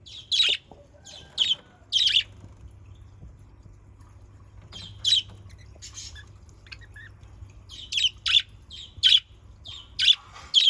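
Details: Budgerigar calls used as a lure: sharp, scratchy chirps in quick clusters of two or three, with a pause in the middle, then a lively run of repeated short notes toward the end over a faint low hum.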